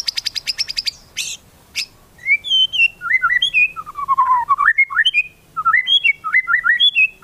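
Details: White-rumped shama song fill, played to make other shamas sing: a rapid high ticking trill and harsh bursts open into a long varied chain of liquid whistled notes leaping up and down.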